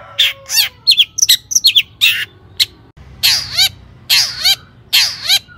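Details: Excited long-tailed shrike lure song: quick squeaky slurred notes and whistles, then a string of loud, wide, grating buzzes with wavering pitch, spaced roughly a second apart.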